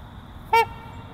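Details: A single short, resonant, horn-like honk from a trumpeter swan of a breeding pair, set against a soft, steady low hum.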